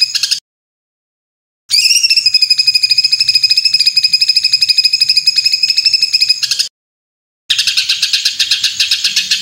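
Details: White-rumped shama tutor recording of 'tembakan kasar', rough rapid-fire song with full fill-ins for training competition birds: edited bursts of harsh, evenly pulsed rattling notes, one long stretch of several seconds, separated by abrupt silent cuts.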